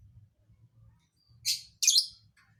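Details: Lovebird with a strange, hard-to-guess fill-in (isian) song: two loud, harsh, buzzy chirps in quick succession, the second fuller and longer, over faint low background hum.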